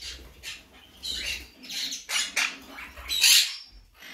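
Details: Blue mutation monk parakeet giving harsh, raspy squawks in short broadband bursts, about one every half second, growing louder toward the end with a loud grating burst near three seconds.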